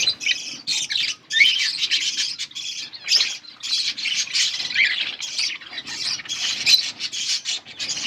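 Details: While breeding budgerigars feed chicks, a flock chatters in rapid bursts of shrill chirps and squawks, broken by short gaps every second or so.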